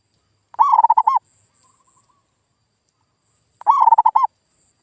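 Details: Zebra dove lure sound, a local perkutut voice aimed at coaxing a quiet bird to respond: two loud phrases three seconds apart, each a fast stutter of coos ending on a swelling, dropping note.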